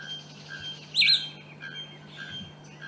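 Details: A single loud, ringing whistled note from a Cinnamon-vented Piha bursts out briefly over a steady low hum and faint high insect tones; recorded 30 October 2008 at PETAR, São Paulo, Brazil.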